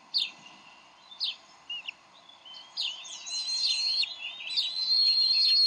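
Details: A Bald eagle pair at their Decorah nest, 30 May 2012, squabbling over a fish. A few isolated sharp chips open, then calling builds into rising, sustained high whistled piping.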